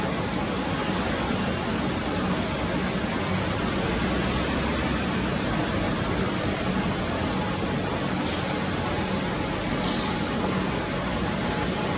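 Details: A steady broadband hiss and rumble, like traffic or machinery, with a faint hum and one brief click near the end; no animal calls.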